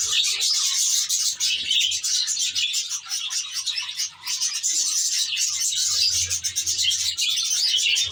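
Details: Aviary budgerigars, many together, keeping up a loud, unbroken stream of high chirps and squeaky warbles, with a short lull around the middle and a light low hum.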